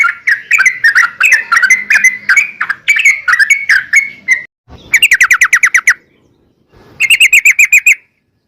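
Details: Rapid 'ropel' song of a sooty-headed bulbul, used as a lure to set other bulbuls singing. Bubbly whistled notes flow quickly and end in a held note. After a thud come two bursts of fast, evenly repeated trilled notes.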